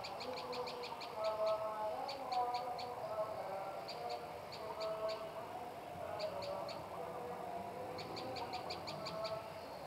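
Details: Tailorbird giving quick bursts of sharp, high ticking notes, each burst of about four to eight rapid notes, repeated roughly every two seconds, over a low, steady background murmur.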